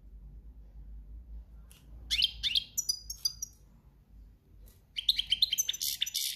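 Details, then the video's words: Goldfinch in breeding season singing country-style: scattered bright chirps and twitters at first, then a dense burst of jangling, liquid high notes toward the close. "Jilguero cantando ** cante campero**"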